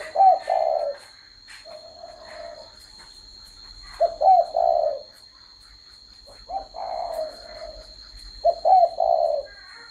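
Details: Spotted dove cooing in four phrases about two seconds apart, each opening with a short upslurred note and then dropping into a low, rolling, throaty coo, with quiet pauses between phrases.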